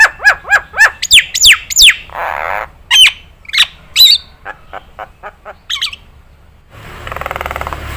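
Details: Nias hill myna on a training track for songbirds to imitate. Rapid series of sharp, falling whistles and squawks opens, followed by a few bright notes and softer clicks, then a stretch of rushing noise at the end.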